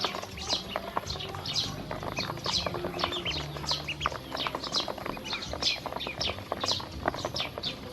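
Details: Team of hungry baby domestic ducks eating and drinking, producing many overlapping high, falling peeps, nearly continuous, backed by busy clicking and dabbling sounds.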